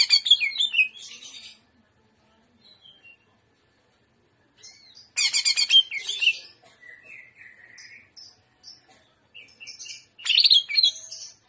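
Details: Greater green leafbird singing in the trotolan style, 'gaya udang', with full jamtrok: dense bursts of sharp, high chattering and whistled notes, separated by pauses with softer short phrases and scattered chips between them.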